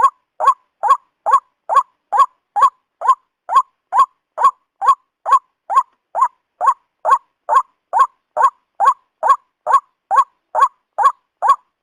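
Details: White-breasted waterhen calling for bird hunters' lure use: a long, even string of short, harsh notes, roughly two per second and about twenty-seven in all, with no other sounds.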